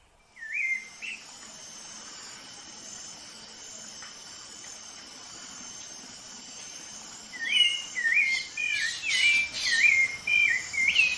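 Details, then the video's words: Rufous-bellied thrush (sabiá-laranjeira) of Brazil singing: a brief whistled phrase at the start, then after a quiet gap a run of warbled, looping whistled notes near the end, over a steady high insect hiss. "Canto do Sabiá Laranjeira"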